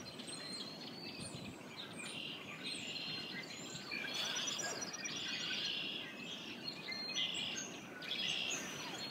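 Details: Flock of red-winged blackbirds singing while sheltering from freezing cold winds: a dense, overlapping chorus of high buzzy trills and sharp chirps, rising and swelling in bursts, with faint low rumbling background noise.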